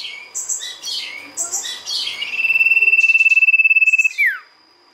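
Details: [['Lure recording of a sirtu, or golden-bellied gerygone: scattered high chirps and twitters lead into a fast, even, buzzy trill on a steady pitch, closed by a quick falling slur.']]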